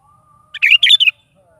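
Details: Morning song of a sooty-headed bulbul, used to coax a pet bulbul into replying and singing; a brief, lively cluster of chirpy warbled notes in three quick bursts, with a faint steady whistle-like hum beneath.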